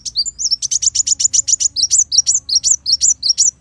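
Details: Sunbird song suited as a tutor recording for kept songbirds: a fast, steady series of high, thin, hooked whistles, each note sweeping up then down, repeated nearly three times per second for over three seconds, with low hum beneath.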